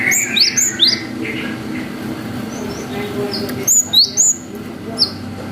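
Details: Long 'wucit' song of a cinereous tit, used as a lure so young birds answer; an opening run of high sweeping whistles, a pause with faint notes, then three more loud downslurred whistles and a single closing note.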